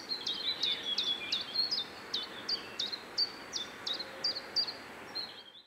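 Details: Common chiffchaff singing on 27 May 2017 at the Joachimów Mogiły reservoir, Poland: a steady run of high, clipped two-pitched notes alternating up and down, about three per second, over a faint hiss of background noise.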